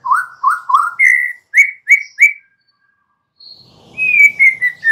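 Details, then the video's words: Young forest white-rumped shama song for prompting a reply: a run of rising slurred whistles, then a higher steady series of clear notes, a pause, and a descending string of whistled notes. "Murai batu PASTI LANGSUNG Nyaut NGEPLONG dan GACOR dengan suara Murai Muda Hutan ini"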